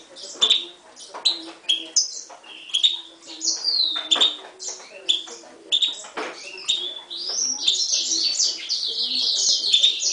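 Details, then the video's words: Himalayan goldfinch × timbrado canary mule from 2011 singing a fast run of bright chirps and short whistled notes, ending in a dense, loud trilling burst, with a faint low murmur underneath. "Mule 2011 Himalayan Goldfinch vs canary timbrada"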